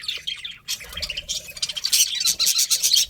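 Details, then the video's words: Budgerigars in busy chatter: a dense, fast stream of high, squeaky, scratchy chirps, growing louder and more continuous through the second half. "Cute Budgies Chirping Sounds"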